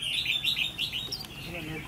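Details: Decoy red-whiskered bulbul, a trainee 'mí lửa' bird checked for its fighting attitude, gives a fast run of clear bubbling notes, four or five in quick succession, then softer trailing chirps.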